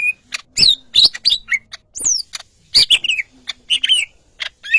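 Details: Greater green leafbird, yellow-headed, in lively song of dense bright chirps, quick slurred twitters and a high falling whistle, with faint low hum under the notes.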